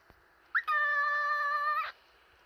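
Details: A pet cockatiel gives a quick upslurred chirp, then a long, steady whistled note rich in overtones.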